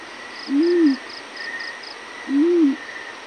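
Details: Yellow-breasted fruit dove giving its morning call: a pair of deep, rounded hoots roughly two seconds apart, set against a background of faint pulsing insects and a high steady hum.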